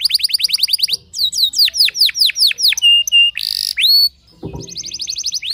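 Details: Canary singing to make other canaries answer: fast trill of downslurred notes, slower deep sweeping whistles, two flat tones, a buzzy burst, then a short rising trill.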